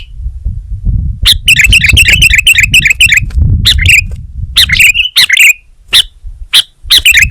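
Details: Sooty-headed bulbul, locally called kutilang, singing vigorously: bursts of quick, bright chirping notes repeated about four per second, then separate sharp chirps, over a low rumbling background.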